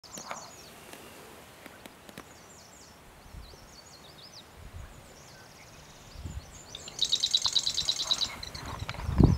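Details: Marsh wren song recorded 6 June 2017: faint, distant high buzzy phrases, then a loud, dense, rattling trill near the end, with low rumbling background noise and a few thumps.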